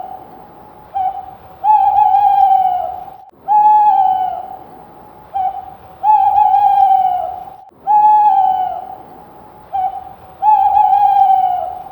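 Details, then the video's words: A screech owl gives wavering, slightly falling notes about every two seconds, each lasting a second or more, over a steady continuous hum. "screech owl sound"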